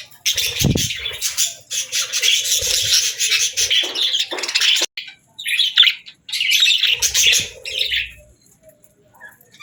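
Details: Budgerigar warbling in fast runs of twittering, buzzy chirps and squeaks, broken by a sudden pause near the middle, then a second burst before fading to quiet.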